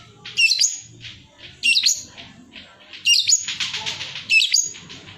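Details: Long-tailed shrike, singing lively for use as a master song for competition birds; four loud, harsh, scratchy high notes with a sweeping whistle inside, spaced about every 1.3 seconds, softer chatter between.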